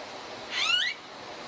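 A blue-faced honeyeater gives one short, rising, slightly harsh whistled note lasting under half a second against a soft hiss of background noise.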